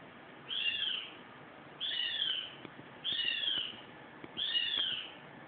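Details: A captive Abyssinian eagle-owl perched on a water tap gives four harsh, raspy screeches, each under a second long, spaced about a second and a half apart over a faint background hiss.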